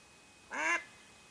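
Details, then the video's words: Single loud, nasal quack from a mallard hen used in duck hunting, about a quarter-second long with a harsh, rasping tone, standing out against quiet background hiss. "Ducks hunting by mallard Hen"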